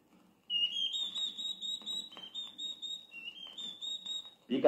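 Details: A Campo Flicker gives an alarm: a fast run of loud, ringing whistled notes, about three or four per second, over a faint low murmur.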